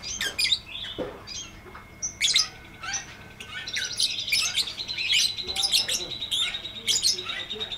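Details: Lovebird singing in the long 'ngekek' style with 'ngetik' ticking, used as a master recording for lovebirds that have stopped singing: dense, rapid, high-pitched shrill chirps and squeaky trills, almost continuous, with sharp louder bursts every second or so.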